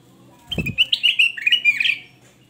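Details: A male black-capped bulbul, loud and in full song, gives a quick run of clear, slurred whistles rising and falling in mid-high pitch after a soft thump; used as a lure and tutor song.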